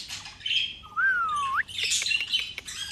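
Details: A pet talking Alexandrine parakeet (Psittacula eupatria) gives a drawn-out whistled note that slides upward, framed by harsh squawks and chattering in a small room.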